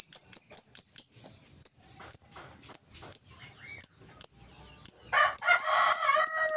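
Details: Lovebird singing in the ngetik style, used as a lure to set other lovebirds singing: a quick run of sharp, high, clicking ticks, then scattered single ticks, ending in a burst of dense, harsher chattering notes.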